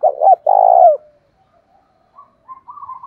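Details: Decoy spotted dove calling in the thổ pha voice style to provoke wild doves to fight: one low phrase of two short hooting notes and a long, throaty, wavering coo, followed by soft, higher trilling notes.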